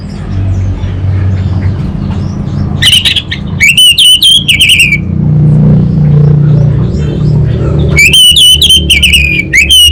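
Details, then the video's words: Orange-headed thrush, anis bata type, singing energetic kabel konslet phrases: a burst of short notes, a long looping warbled whistle, a pause filled with low hum, then more rapid warbling. "ANIS BATA Berkicau Gacor Membuat Burung Cepat Tanggap dan Respon Kabel Konslet Lanjut Ngeplong"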